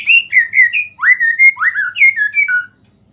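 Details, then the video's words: White-rumped shama in full song with a small-bird fill, said to stir other shamas; a flowing run of loud, clear whistled phrases, swooping up and down, over a faint rapid trill. "MURAI BATU GACOR ISIAN BURUNG KECIL"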